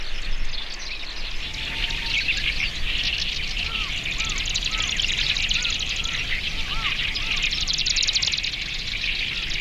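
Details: Marsh grassbird singing in early May at Watarase retarding basin, Japan, distant and captured with binaural microphones; quick buzzy strokes come in bursts within a thick wetland chorus, while soft arching whistles repeat lower down.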